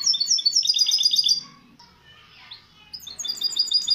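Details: A hybrid mule canary, recorded as a tutor tape for chicks, gives bright, high warbling in rapid repeated trills and chirps, pausing briefly mid-clip before resuming with quick sweeping notes.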